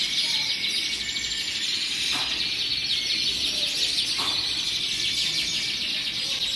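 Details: Hundreds of colorful canaries in full song, an unbroken high chorus of trills and chirps, with two brief sharp clicks at about two and four seconds.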